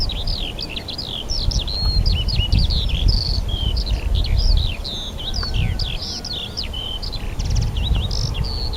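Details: On 4 April 2010 at Rogozyanske reservoir in Kharkiv region, spring birds pour out a busy chorus of sharp high chirps, looping whistles and twitters, nearly unbroken, over heavy low background rumble.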